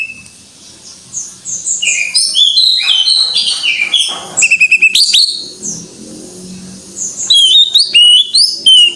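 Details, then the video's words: Greater green leafbird singing full gacor. A high, varied string of whistles and quick rapid note bursts runs over a faint low background rumble, ending in clear repeated whistles. "Suara Burung Cucak IJO FULL Gacor"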